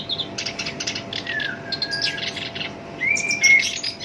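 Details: A kept black-browed reed warbler gives rough chattering notes broken by a long, level thin whistle and later a brighter rising whistle. Its song is used to spur other birds into singing.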